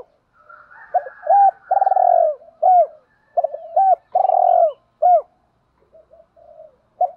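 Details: Male and female spotted doves calling to provoke a rival bird: a run of short hooked coos mixed with long vibrating, pulsed coos, then a quiet faint coo and one last short note.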